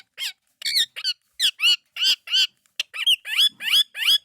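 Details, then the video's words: Indian ringneck parakeet talking in a steady chain of short, bright, squawky word-like syllables, each slightly rising or arched in pitch, roughly three per second. "Best Indian Ringneck Talking Parrot"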